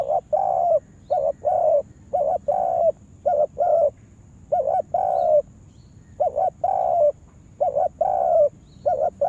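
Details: Spotted dove kept as a lure bird for trapping in a yard, calling steadily: a short wavering double coo followed by a longer level coo, phrases repeated roughly every second with brief pauses, under a faint steady high hiss.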